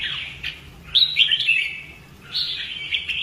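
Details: Red-whiskered bulbul in fighting-song training gives two long, warbling whistled phrases separated by a short pause, bright and slightly wavering.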